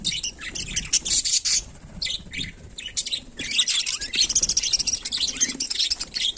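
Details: Budgerigars, Melopsittacus undulatus, going about daily life, chirping and warbling in fast, scratchy clusters of high notes. The bursts grow denser toward the end.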